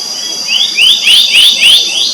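Black-naped monarch giving five quick, rising whistled notes about three per second, over a steady high insect drone.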